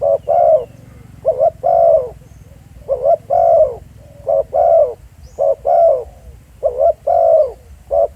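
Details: Live field recording of a spotted dove at Pha Sing, Thailand, cooing steadily in paired phrases, a quick short coo and then a drawn-out, gently falling one, repeated almost without pause over low background hum.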